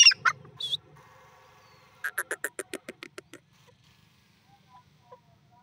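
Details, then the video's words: Grey francolin (teetar) calling: a few loud harsh notes open the clip, then a drawn-out nasal tone, then a quick run of about ten sharp, evenly spaced notes over one and a half seconds, trailing into faint soft sounds. "teetar best speaking partridge teetar ki awaz"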